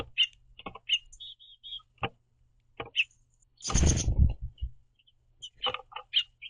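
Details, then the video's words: House finch pair at a backyard platform feeder, hopping on and off the perch while communicating: scattered short bright chirps, a loud rustling thump near the middle from movement at the feeder, then more chirps. "House Finches Happily Chirping To See The Green Bird Feeder"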